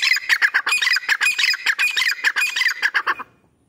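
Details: Grey francolin in training, calling loudly in a fast, harsh, evenly pulsed run of notes, about two or three per second, for three seconds before stopping abruptly.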